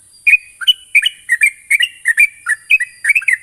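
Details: Bulbul lure (sooty-headed) to spur quick ngropel song: dense bursts of mellow, bouncing whistled notes, often in pairs, flowing continuously for over three seconds above a faint hiss.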